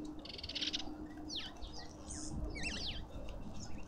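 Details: Lovebirds at a feeder in a suburban garden in Pretoria, South Africa, giving thin, twisting high chirps in short bursts, with brief hissing noise and a low rumble underneath.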